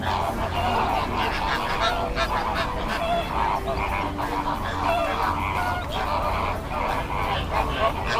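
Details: Greater flamingos at a backwater near Bagalkot give goose-like honking calls that overlap in a continuous chorus over a steady, noisy background.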